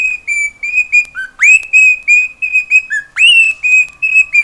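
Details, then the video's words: Pet cockatiel singing at home in Brazil: a run of clear whistled notes near one steady pitch, with short dips and sharp upward-swooping notes, phrases repeating in quick succession. "CALOPSITA(KIKO) CANTANDO E FAZENDO BARULHO!"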